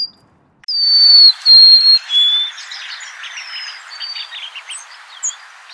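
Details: Golden-crowned sparrow giving a loud descending whistled phrase of three notes. A busy chorus of chattering and chirping from other birds continues behind and after it.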